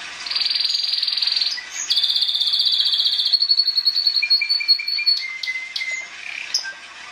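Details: A Timbrado canary sings fast, buzzy high trills in long tours, shifting to a lower rolling trill and then slower, spaced notes, with no other sounds intruding.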